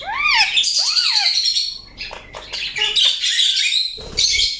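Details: Indian ringneck parakeet making loud arched squawks followed by harsh, scratchy chatter and rasping notes, with a brief lull before a final burst.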